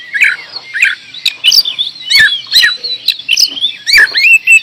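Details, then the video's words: Oriental magpie-robin giving a varied song of clear upslurred and downslurred whistles mixed with sharp clicks, phrases coming roughly every half second. "Kacer gacor door"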